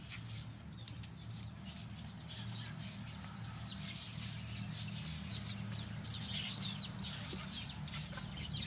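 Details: Pet lovebirds kept at home give quick, high chirps and short rising squeaks in loose bursts, over a steady low rumble of background noise.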